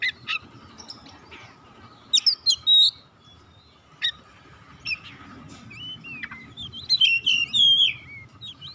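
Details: White-rumped shama singing to stimulate other birds: sparse sharp chips and brief whistled twists, then a louder burst of varied slurred whistles toward the end.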